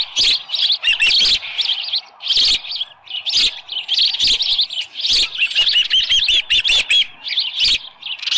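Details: Osprey at the nest at Dunrovin Ranch, July 24 2018, early morning, headless fish delivered. Urgent, high-pitched chirps in tight volleys, some notes wavering and slurred, nearly continuous throughout.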